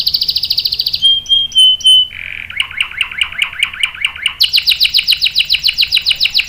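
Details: Canary rolling song used as a lure and tutor: rapid high trill, a pure flat whistle, a lower warbled rippling phrase, then a bright fast repeated trill.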